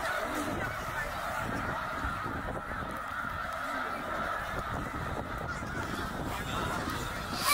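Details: Tens of thousands of migrating snow geese at Middle Creek, Pennsylvania, a spring stopover on their way back north, 2023: countless high, nasal honks blending into one continuous clamour with no gaps.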